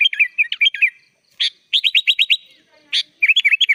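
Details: Kutilang, or sooty-headed bulbul, singing gacor full isian, its song filled with other birds' phrases. Dipping whistled notes, a sharp burst, then a quick even trill of rising notes, another burst, and a final run of looping whistles.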